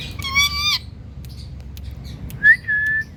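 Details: Indian parrot calling "Mithu": a harsh, buzzy, harmonic-rich utterance lasting about half a second. After a pause comes a short clear whistle that rises, then holds level. Quiet background otherwise.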